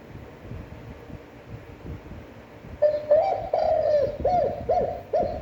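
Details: Spotted dove giving a standard, long-breathed cooing song: after nearly three seconds of low room hum, a drawn-out low coo is followed by a run of four shorter, rounded, evenly spaced coos.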